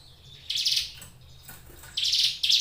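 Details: Ciblek gunung prinia, a kept songbird, gives a single rasping buzz, a pause, then two more harsh buzzy notes close together. Faint low hum behind.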